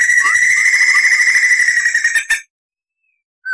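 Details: Long clear roll from a white-crested laughingthrush on a tutor recording: an even, rapid trill held steadily near two kilohertz for over two seconds, ending in a sharp burst, then quiet and a single whistled note.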